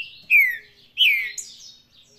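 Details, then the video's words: Two loud, downward-sliding whistled notes from a saffron-billed saltator singing Paraná style, the second trailing into a higher bright flourish. "Trinca ferro Faísca, canto Paraná."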